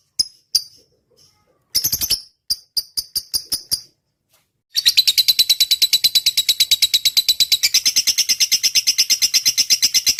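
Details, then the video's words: Lovebird singing a long 'ngetik' chattering song as training audio: a few separate sharp chirps, then from about five seconds a dense, fast run of buzzy high notes repeated about three per second. "suara burung lovebird gacor.. ngetik panjang"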